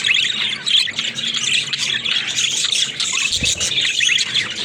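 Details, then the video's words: Talking pet budgerigars in lively overlapping chatter: quick repeated chirps, rasping squawks and trills, with a single low knock partway through. "Funny Talking Budgies"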